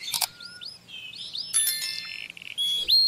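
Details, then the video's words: Canary song used to train young chicks: a busy mix of rising and falling whistled slurs, pure sustained tones and rapid buzzy trills, broken by short sharp clicking bursts, ending on loud steady whistles. "Twitter canary to train chicks"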